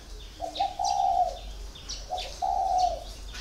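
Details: Caged spotted dove, kept four years, giving two low cooing phrases, each a short lead-in note then a longer hollow coo. High thin chirps from other small birds sound in the background.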